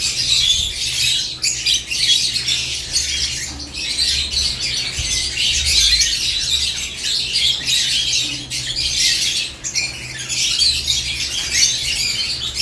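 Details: Caged lovebirds in the morning give a dense, continuous chatter of harsh, high chirps and squawks that overlap without pause, with occasional brief wing flutters.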